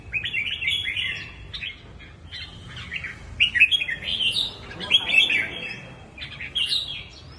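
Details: Red-whiskered bulbul giving bursts of chattering, warbled notes in short phrases separated by brief pauses, fairly harsh and busy in texture.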